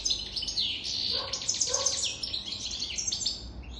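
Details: Adult European goldfinch over three years old in loud, sustained song: a dense, bubbling stream of high twitters, trills and buzzy notes, with a couple of lower nasal notes near the middle.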